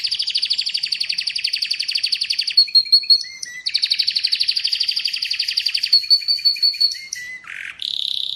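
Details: Song of an Atlantic canary: a long, fast, buzzy trill rattles on for over two seconds, then short clear whistles and a lower note, another extended rapid trill, more whistled notes and a brief harsh dip before a final steady tone.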